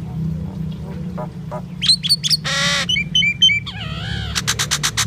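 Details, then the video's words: Indian myna, the common myna, in song: soft gurgles build into clicking chatter, a loud harsh rasp, paired bright whistles, a long wavering warble and a closing burst of rapid sharp clicks. "Common myna bird song Indian myna sound | mynah singing"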